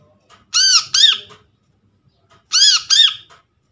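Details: Brown-throated sunbird lure calls, from a captured bird, for attracting birds and waking silent ones: two doubled bursts of loud, rasping, arched notes, the pairs about two seconds apart.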